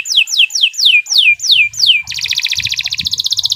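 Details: Canary master song for training birds: a row of loud falling whistled sweeps, then an abrupt switch to a fast, dense buzzy trill of rapidly repeated notes.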